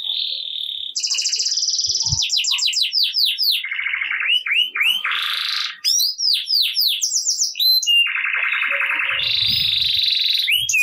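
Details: Domestic canary in full, vigorous 'gacor ngerek' song, played to prompt quiet canaries into singing; unbroken run of fast rattling trills, buzzy rolled tours, whistled notes and repeated descending sweeping syllables, shifting pitch every second or so, with no other sounds.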